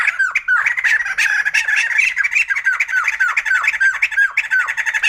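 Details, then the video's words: White-crested laughingthrush, known locally as poksay jambul putih, in full cackling chorus: harsh squawky notes stacked densely, with a clear downward-curving note repeated about twice a second through the noise. "Poksay Jambul Putih || Burung Tertawa"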